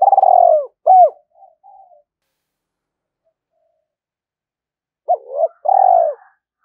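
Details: Decoy spotted dove, 'giọng thổ' voice style, calling to lure wild doves in to fight: a loud hooked coo and a long drawn coo, soft trailing notes, a pause of about three seconds, then a quick double note and another long coo.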